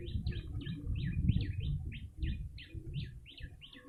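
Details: Lure recording of a yellow-bellied prinia: quick, bright, high-pitched chirps repeated at a steady brisk pace, roughly two or three each second, with a deep murmur of ambient noise beneath.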